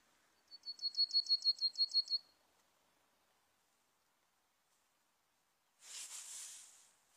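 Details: Serin trapping lure: a crisp high trill of about ten rapid notes, then silence and a burst of broad hissing noise near the end.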